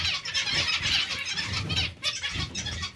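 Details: Zebra finch colony chorus: a thick wash of high, nasal overlapping calls, loudest in the first half, over a steady low rumble.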